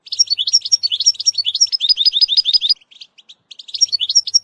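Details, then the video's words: European goldfinch song played for training a young bird, a steady stream of rapid rising-falling twittered notes, a short softer break, then the bright twitter returns. "#chantchardonneret ecolage chardonneret"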